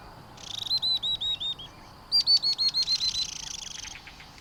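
A Spectacled Weaver gives two quick runs of high, clear, evenly spaced notes, about four per second, the second run trailing off into softer chips.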